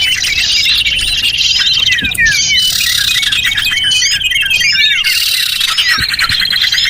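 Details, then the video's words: Chorus of small birds meant to attract others, an unbroken wall of high twittering, squeaks and trilled notes from many birds calling together. "Suara Pikat Burung Kecil"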